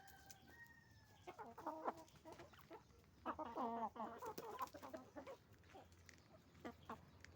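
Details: Chicken farm with roosters and hens: a long steady two-tone call opens, followed by dense rapid clucking and squawking in two busy bursts, then sparse single clucks.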